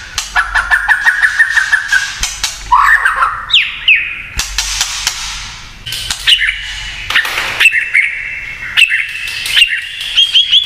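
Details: White-rumped shama singing kretekan style to provoke other shamas: a wavering whistled trill, squawky sweeping notes, then a steady high whistle punctuated by regular sharp clicks, with frequent clattering noises.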